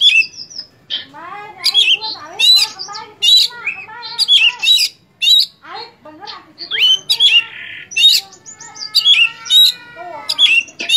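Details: Oriental magpie-robin in full song. A varied, busy stream of harsh squawks, buzzy harmonic notes and high piercing whistles pours out almost without pause, with sharp upslurs repeated every second or so.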